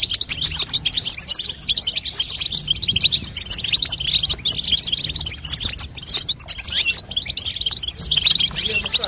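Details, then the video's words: Female European goldfinch giving babtaba, a call to coax a young goldfinch into song: energetic, high, buzzy twittering in dense bursts that swell and ease across the stretch. "بتبته لتقويه فرخ الحسون تخلي يغرد غصب عنو"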